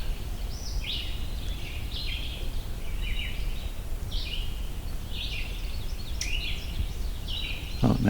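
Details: An Ovenbird perched on a branch in a grassy milkweed meadow clearing in the Allegheny National Forest ticks at the recordist, perhaps near its nest: sharp, high ticks about once a second, steady and insistent, over a low rumble with a brief knock.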